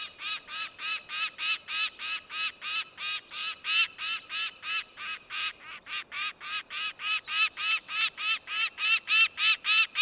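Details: Peregrine falcon (Falco peregrinus), call.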